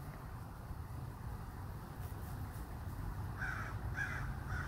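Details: Strange chittering noises from a crow in Minnesota: after a few seconds of low background rumble, three short, harsh mid-pitched notes come in quick succession near the end.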